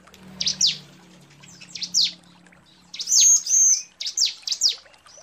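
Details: Female bar-winged prinia calling to a male: sharp, high, downslurred chips in small clusters, then a clear thin whistled note held briefly, with quiet rural background.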